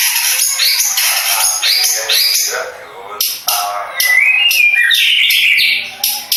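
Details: Contest long-tailed shrike of the Madura type singing varied harsh chatter, a quieter passage, then loud rising whistled slurs broken by sharp bursts.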